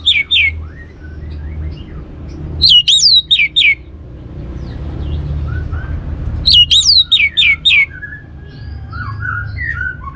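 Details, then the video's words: Orange-headed thrush, recorded to encourage other birds to sing: loud, clear whistled phrases of four to five looping, up-and-down notes, repeated about every four seconds, with soft chirps and a low steady hum between. "ANIS MERAH Cor Suara Penggoda Membuat Burung Kenceng Jadi Ngeplong Lanjut Teler"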